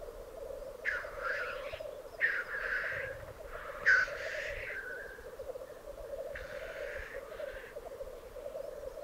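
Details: Lekking black grouse on the Piedmont Alps, Italy: a persistent deep bubbling murmur with about five breathy, rasping hisses spread across the recording.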